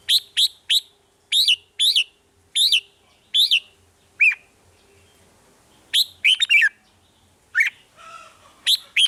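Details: Red-whiskered bulbul song in the 'rik' style, to excite caged birds: a string of evenly spaced, sharp downslurred whistles about two per second, then after a pause a chattering phrase and more single notes.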